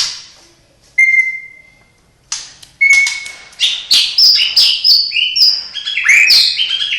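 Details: White-rumped shama (murai batu) belonging to the recorder, its isian song imitating cililin, sparrow, lovebird and canary: two long steady mid-pitched whistles, then a fast tumble of varied chirps and slurred notes.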